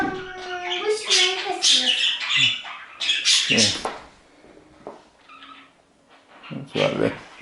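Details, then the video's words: Pet budgerigars indoors at Christmas, a green one in singing mood near a Christmas tree, chatter and warble in dense, scratchy bursts of high squeaks and chirps for about four seconds, then a quieter pause and one more burst; a person's voice is heard. "Parakeet Singing"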